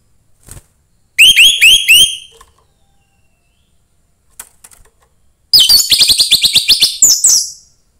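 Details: Young orange-headed thrush from the forest, singing to excite other thrushes: a few ringing downslurred whistles, a pause, then a fast, dense series of high, sharp repeated notes lasting about two seconds.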